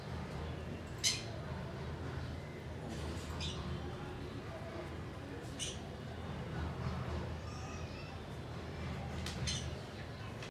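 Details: A red-collared lorikeet, after a bath, gives a few sharp, shrill screeches, spaced two to four seconds apart, over a steady low indoor hum.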